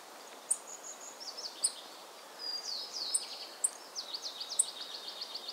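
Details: Tristram's bunting recorded in Pingtung County, Taiwan, on 15 November 2019, giving thin, sharp, high-pitched ticks at irregular intervals, with a continuous twittering and chattering from other birds behind it and a faint hiss.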